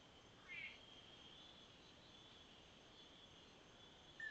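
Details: A single male Lance-tailed manakin at its dancing display perch in early morning, 12 May 2016, gives two brief, clear whistled notes about four seconds apart over a steady high hum of insects.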